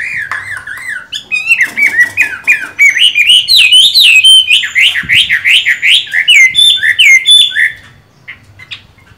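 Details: Chinese hwamei in moult, a caged songbird with green-bean eye markings, delivering a fast varied song of loud looping whistles, rapid rising-falling slurs repeated several times a second, ending abruptly with a few soft notes.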